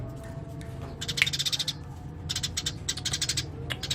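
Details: Eurasian tree sparrow singing lively and full, with bursts of rapid, dry, buzzy chirps repeated in quick trains, separated by short pauses over a low steady background hum.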